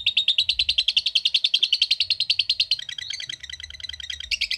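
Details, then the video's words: Long trilling lovebird song: fast, sustained chatter of high rasping notes in a tight, steady series, shifting partway through into lower, looser and more varied twittering before a final burst. "Cara Cepat Memanggil Love Bird Agar Ngekek Panjang"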